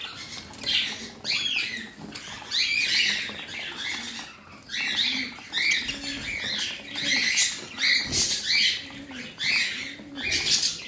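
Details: Caged parrot chattering steadily in repeated harsh chirps and short warbles over eleven seconds, with soft low coos and bits of fluttering between phrases.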